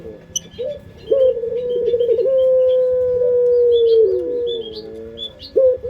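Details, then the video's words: Indonesian local puter pelung dove singing as a lure: a very long, level, low coo drawn out for about three seconds, then a fading, layered tail, as distant small birds twitter high above. "Pancingan Suara Burung Puter pelung paling dicari bersuara merdu"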